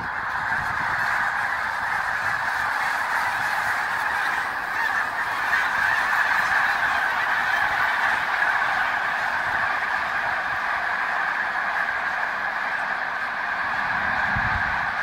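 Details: Snow Geese in their thousands at a Pennsylvania park, February 23, 2019, sustain a long, loud, steady clamour of overlapping honks; faint low rumbles appear near the start and close.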